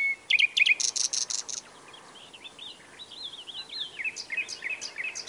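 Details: Nightingale in full song: quick sharp chips and a loud high buzzy burst, then a run of varied twisting whistled notes and rapid warbling phrases, continuous and rich.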